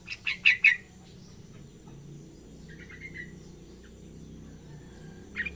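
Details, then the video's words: Juvenile yellow-vented bulbul learning its song: a quick burst of three loud, bubbly chattering notes, then softer thin warbling notes and a last short note, over a steady low background hiss. "anak trucukan belajar ngacor"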